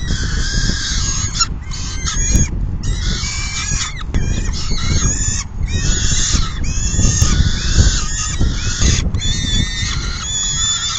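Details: Peregrine falcons at the nest during a full feeding, 4:08 PM on June 10, 2022, one bird leaving once full: loud, harsh, strongly harmonic calls repeated almost without pause, over heavy low rumbling wind noise.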